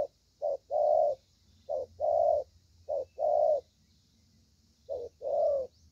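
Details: Cooing of a young spotted dove praised for its voice, 'thổ' style: a clipped lead note followed by a longer mellow coo, repeated four times with uneven gaps over quiet background.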